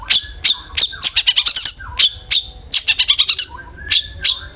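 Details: Lure recording of a long-tailed shrike (cendet), meant to make a shrike sing aggressively: scratchy, high chattering phrases of clustered notes, with brief dipping lower whistles in the gaps.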